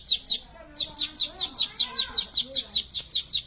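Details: Plain prinia chirping: bright, high notes repeated at a quick, slightly uneven pace over faint lower background calls.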